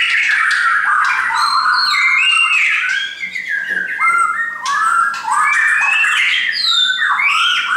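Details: Several captive shamas brought along by their owner sing together, loud rich whistled phrases sliding up and down and overlapping densely with few pauses.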